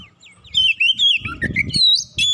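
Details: Oriental magpie-robin (kacer), agitated after a provocation, delivering a quick stream of isian fill phrases: sliding whistles and warbled notes running together, ending in a long high pure whistle, with low background thumps.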